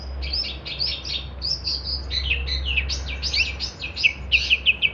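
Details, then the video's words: Vigorous long-tailed shrike song for training songbirds: rasping, buzzy chatter running almost continuously, ending with a few clear, sharp repeated notes, over a low hum. "kicauan cendet gacor"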